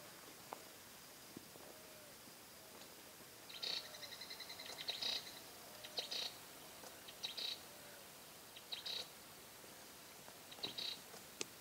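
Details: A Yellow-faced Parrot gives harsh, grating squawks in short bursts, a few clustered together with pauses of a second or two between, over a quiet background.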